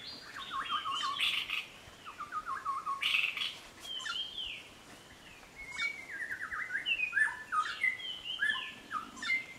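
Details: Eared pitta: a steady series of clear whistled notes, some slurred upward or downward, spread across the recording against a soft background hiss.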